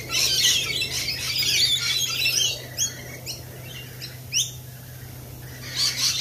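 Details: Lorikeets at a cafe giving dense, harsh screeching chatter, then sharp rising shrieks spaced about a second apart, with a final noisy burst.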